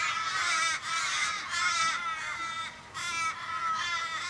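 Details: Street in Kellyville, Sydney, 1 July 2012: a flock of over fifteen Australian ravens mourns an injured member, possibly hit by a car. Rasping, wavering wails repeat rapidly, several birds overlapping, with two short gaps.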